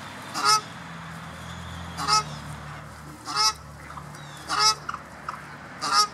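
Cape shelduck giving five short, harsh honking calls spaced about every one to two seconds, with a low steady hum underneath.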